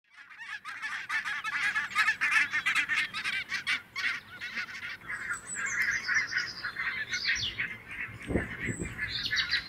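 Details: Grazing flock of Barnacle Geese on full alert as two Red Foxes close to within striking distance; dense chorus of sharp yapping honks from many birds, rapid and overlapping throughout, with some higher squeals toward the end.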